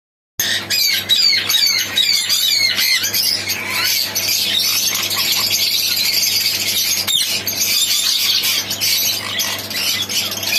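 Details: Blue pallid and blue lacewing mutation ringneck parakeets give a dense chorus of shrill, squealing screeches, many overlapping and rapid, with a low steady hum beneath.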